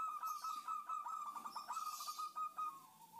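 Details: Female zebra dove calling to a male, used as a lure for wild doves: a steady run of rapid, even coos at one pitch, ending in a slightly lower note, with soft high chirps behind.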